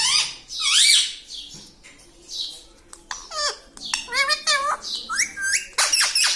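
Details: Talking parrot kept as a pet, uttering a series of clipped, rasping and tonal syllables that step up and down in pitch, with light clatter in the background.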